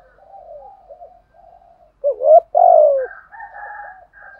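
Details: Decoy spotted dove luring wild birds: quiet low wavering coos lead into one loud phrase of a hooked note and a long falling coo, then softer higher-pitched wavering notes follow.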